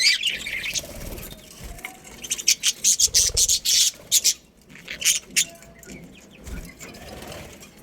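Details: A breeding colony of budgerigars chattering: a rapid string of sharp, high chirps and squawks, busiest in the middle, over a softer background of twittering.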